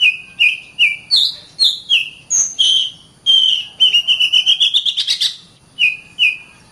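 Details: Oriental magpie-robin singing for use in tutoring other birds: a varied run of whistled notes that climbs into a quick rapid trill of rising notes, then returns to paired steady whistles.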